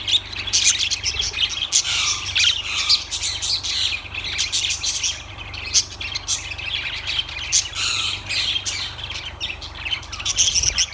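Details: A flock of lovebirds keeps up continuous high-pitched twittering and sharp squawks for the whole stretch, dense and overlapping, with a low background hum.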